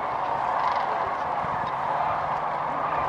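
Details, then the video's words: Flock of migrating sandhill cranes stopping near Kearny, Nebraska, in late February; continuous massed rattling calls form an even chorus, with a few brief clearer notes and a faint low hum underneath. "The Sandhill Crane Migration"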